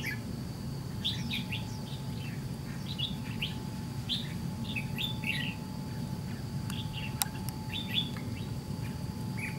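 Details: Red-whiskered bulbul with white cheeks fighting a decoy in a trap: repeated short warbling phrases roughly every second, fairly quiet, against a strong low rumble and one sharp click late.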